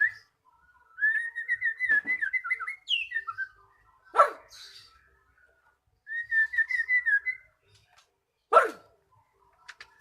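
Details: Used to set a silent magpie-robin singing, this song has long wavering whistled phrases, each followed by a loud sharp snap, with faint ticks near the end.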